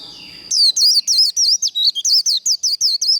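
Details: Contest-training líu song of a white-eye, meant to fire up birds to sing in competition: after a soft, murmuring start, a fast run of sharp, high, looping chirps repeated about four per second.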